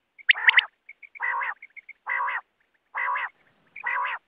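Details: Wild quail call used for net hunting: a sharp triple note, then repeated drawn-out nasal, rasping notes every second or so, with faint high chips between them.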